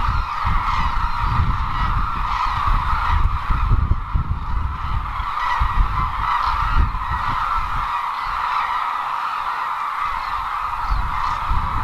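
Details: Cranes at the Izumi crane wintering grounds in Kagoshima Prefecture, Japan. A large flock keeps up a continuous, dense clamour of overlapping calls with no individual voice standing out, over a low rumbling background.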